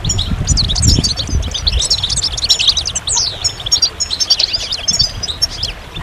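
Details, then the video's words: Goldfinch singing a fast, bubbling twitter of bright high notes, including one quick downward-sliding note midway, with chattering phrases continuing to the end over a low rumbling background noise. "Magical Goldfinch Songs"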